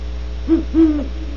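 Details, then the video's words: Two quick, deep hoots from a Great horned owl in California, the second slightly longer and sliding down at the end, over a soft constant hum. "27mins of GREAT HORNED OWLS"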